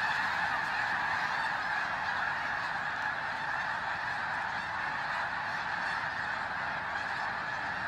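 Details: Before the final flyout, huge numbers of snow geese arrive in freezing pre-dawn darkness at Bosque del Apache, New Mexico, phone recording; a steady wall of yelping honks blends into one continuous clamour.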